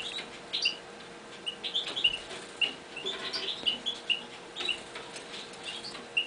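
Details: Caged Eurasian bullfinches in a newly built cage calling: short soft piping notes, single or paired, scattered irregularly about once every second, with a faint steady hum behind.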